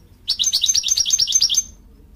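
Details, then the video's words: American Goldfinch female giving a single rapid series of roughly eleven bright, high-pitched chirps, evenly spaced and lasting about a second and a half, with a quiet background. "Female American Goldfinch call"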